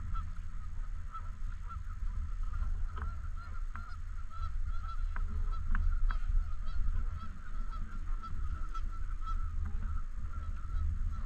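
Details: A flock of Canada geese at a lake in a park honks continuously, with many overlapping nasal calls and a few sharp louder ones around the middle, all over a deep steady background rumble.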